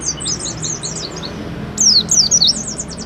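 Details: Oriental white-eye song played as a lure to prompt another bird to sing: fast high twittering notes, softer at first, then a louder burst of sharp slurred chirps after about 1.8 seconds, against steady background hiss.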